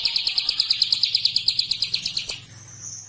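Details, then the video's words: Prinia calling its companions: a fast, even train of sharp high ticking notes, about six per second for over two seconds, then stopping, with a faint low hum behind. "PRENJAK GACOR MEMANGGIL KAWAN"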